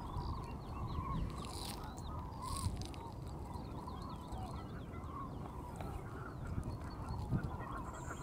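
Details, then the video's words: Flock of Common cranes passing over Strabrechtse heide during mass migration on 5 March 2013; fainter overlapping trumpeting calls in a steady band, high thin twitters over them, and a deep rumble of wind beneath. "Kraanvogels (Grus grus, Common Crane)"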